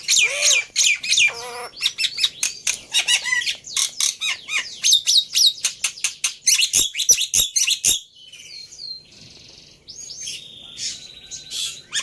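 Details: Black-winged myna lure song, played to provoke a silent bird into singing: a dense burst of harsh, chattering notes and rapid squeaky chirps mixed with sharp whistled slides, trailing into softer buzzy rasping toward the end.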